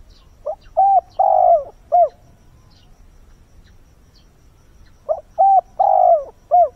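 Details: Dawn calling of a decoy spotted dove luring wild birds: two repeated four-part cooing phrases about four seconds apart, each mellow and low with a long sliding middle coo, in a quiet setting.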